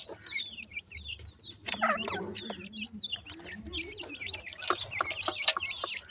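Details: Wild black francolin chicks calling together: a busy stream of high, thin, downward-slurred cheeps and chirps, overlapping and irregular, with a few sharp clicks and a faint low murmur underneath.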